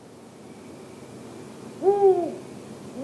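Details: A young Arabian eagle-owl (Bubo milesi) chick in Tanomah governorate gives a single short, hoarse hoot that dips slightly in pitch, otherwise only soft background hiss.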